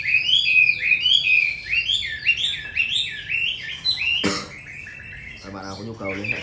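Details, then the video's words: Hwamei with a forest-style voice singing in quick succession: clear, loud whistled slurs that rise and fall, repeated about twice a second, then a sharp click, and brief human speech near the end. "Họa mi 5633b đẹp giọng rừng hay mau mỏ"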